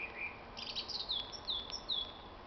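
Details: Common blackbird singing on a spring evening, 26 March 2010: high, rapid twittering phrases with quick descending whistled slurs and squeaky notes, over a steady low hiss.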